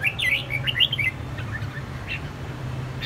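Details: An escaped red-whiskered bulbul confronts a caged bulbul with a rapid tumble of high chirped notes during the first second, followed by softer scattered notes and a constant low hum.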